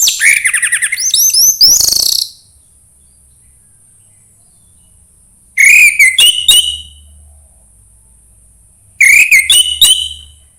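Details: Orange-headed thrush song, 'suara embun pagi', played to coax a reluctant bird into singing: three bursts of rich, rapid whistled and chattering notes, the first about two seconds long, separated by silent gaps of several seconds.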